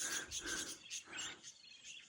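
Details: Wild flock of budgerigars chattering in a dense, high, warbling twitter at a permanent-water creek near Birthday Waterhole in the Chewings Range, Larapinta Trail, central Australia, in August 2025.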